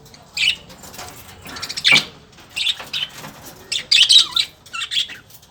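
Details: Lovebird calling in scattered bursts of shrill, scratchy chirps and squawks, roughly one burst every two seconds, louder in the later half, over a light hiss.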